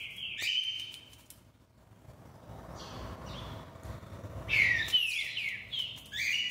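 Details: Singing green-winged saltator: a strong level whistle at the start, a quiet stretch, then a rich burst of descending whistled notes and a final sustained whistle.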